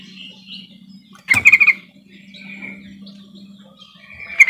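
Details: Yellow-vented bulbul luring call to get silent birds singing: a sharp knock, then a fast run of bubbly chirps, soft warbling, a steady low hum, and another burst of chirps at the end.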